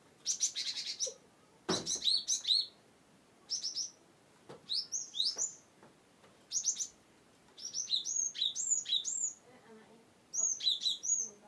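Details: Cinereous tit (gelatik batu) from Wonosobo, used to spur quiet birds into song: spaced bursts of high chip trains and hooked descending notes, with a sharp click near the start.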